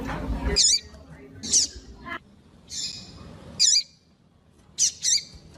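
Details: Female double-collared seedeater calls, used to stimulate a cold male to sing: short sharp high chirps in scattered bursts, some paired, with soft breathy notes between and low background rumble at the start.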